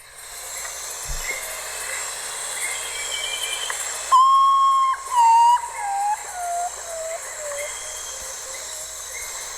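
A Common Potoo gives a mournful whistled series: one loud, pure opening note, then several descending notes that grow lower and softer, over a steady hiss.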